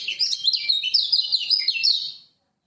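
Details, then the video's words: Lombok lemon-bellied white-eye master song, used to stir silent birds into song: an unbroken stream of fast, high, slurred twittering notes for about two seconds, ending abruptly. "Masteran Kecial Kuning Lombok!!! Buat Pancingan Kecial Macet"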